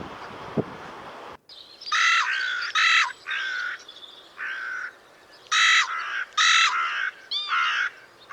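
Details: Carrion Crow (Corvus corone) in Portugal, whose call is higher-pitched than the raven's and carries far: a loose series of harsh, grating caws at uneven intervals, about seven in eight seconds, with some faint curled squeaky notes near the end.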